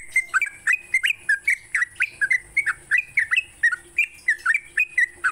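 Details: Yellow-vented bulbul morning song used to prompt caged birds to sing: short, bubbly, slurred notes rising and falling, delivered in a rapid steady string of about four notes per second, over a constant high hiss and low hum.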